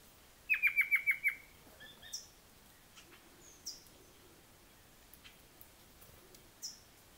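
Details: Rufous-capped antthrush agitated at a gnateater: a quick series of six sharp descending notes, then scattered thin high chips and clicks against quiet forest background.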